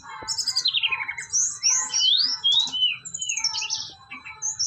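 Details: Brown-chested jungle flycatcher, a bird native to Bali, singing a varied, energetic song of fast whistled slurs, rising and falling sweeps and short buzzy trills, phrases following closely with brief pauses, faint low hum beneath.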